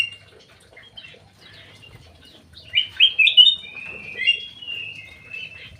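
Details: Crewet housed in an aviary: after quiet scattered chirps, a loud burst of high, slurred whistles and warbled notes, fading into softer chirping.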